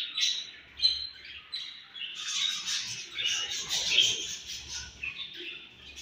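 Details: Pet budgerigar babies, bred at home, chattering continuously with overlapping high scratchy chirps and squeaks, rising into busier squabbling after the first two seconds.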